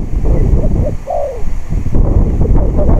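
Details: On a windy day during decoy trapping, a spotted dove gives one phrase: two brief hollow coos, then a drawn-out coo sliding downward. Heavy wind noise roars underneath throughout.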